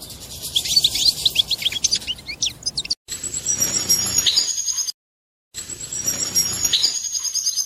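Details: European goldfinch mating song that reportedly makes the female take the mating position: a lively run of quick tinkling whistled notes and trills, twice interrupted by abrupt silent cuts, with a high chatter continuing between.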